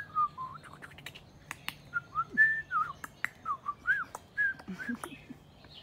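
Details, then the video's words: White-rumped shama delivering a varied series of loud, fluty whistled notes, some rising and some falling, spaced about every half second, mixed with sharp snapping clicks indoors. "White-Rumped Shama Bird Song"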